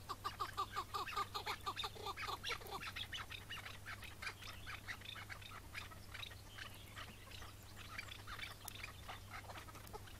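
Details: Chukar partridge of the Iraqi variety, on a May 2017 morning during its capture: rapid, harsh, clucking chuck notes, loud for three seconds and then fading into a noisy, hissing background with a steady low hum.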